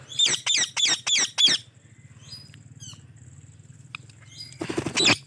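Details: White Indian ringneck parrot chirping: five loud, rapid, harsh squawky chirps in quick succession, then quiet scattered faint chirps, ending with another burst of loud harsh calls; steady low hum underneath.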